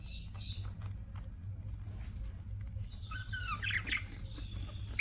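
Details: Pet budgerigars chirping: a short high squeak at the start, then after a quiet gap a burst of rapid twittering and warbled chirps over a steady low indoor hum.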